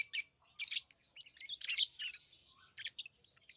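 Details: Tame pet lovebirds chirping: bursts of high, harsh, scratchy tweets in quick clusters, with short quiet gaps between phrases and a faint low hum beneath.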